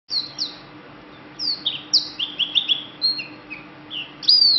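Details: Green bird singing a varied string of high, clear whistled notes, many sharply slurred downward, spaced irregularly, over a steady low electrical hum and faint background noise.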